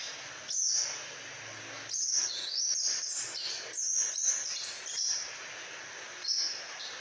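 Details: Crimson sunbird in active song, kept as a tutor bird: high, sharp squeaky phrases with rapid up-and-down slides, the middle section a longer tumbling twitter, other phrases short and separated by brief pauses.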